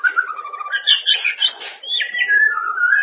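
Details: White-rumped shama daily master song for training caged birds: smooth falling whistles, a burst of scratchy mixed notes in the middle, then long gliding whistled phrases, slightly roomy sounding.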